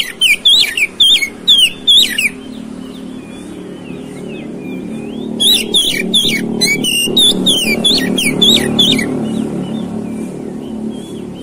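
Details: Provoking song of an oriental magpie-robin for a fighting response: quick bursts of sharp sweeping whistled notes, then a longer dense flurry of notes, with a steady motor-vehicle rumble underneath.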